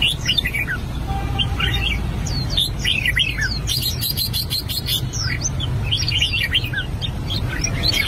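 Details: An albino red-whiskered bulbul practising its voice gives busy bursts of bright, chirpy, warbled notes, overlapping and rising and falling in quick succession, over a low hum and some clicking.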